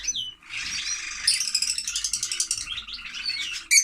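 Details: Lovebirds chattering in a continuous, dense rattling twitter of high, scratchy notes, opening with a single downslurred squeak and ending in a sharp chirp.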